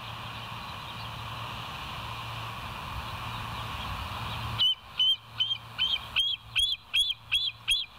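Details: Bald eagle at West End, live nest camera, 29 August 2023, morning; hum-filled silence, then two bursts of high, thin, chirping calls with rising flicks, roughly three notes per second.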